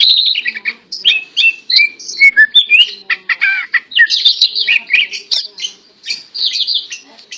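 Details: Greater green leafbird, tame and in full song even while held by hand, pours out a continuous medley of quick whistles, warbles and sweeping slurred notes with barely a pause.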